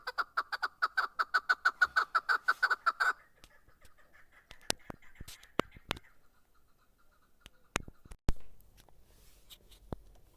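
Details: Chukar partridge recorded in Darvoz, Tajikistan, in 2020, giving a fast, regular run of harsh chuck notes for three seconds, then quieter scattered calling, with sharp clicks and handling knocks afterwards.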